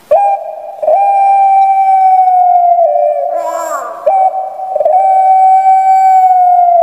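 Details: Captive Barbary dove of the Javanese puter pelung type, large-bodied with a high, piercing voice. Long, level, tonal coos are held for over two seconds, split by a brief rough, grating break in the middle.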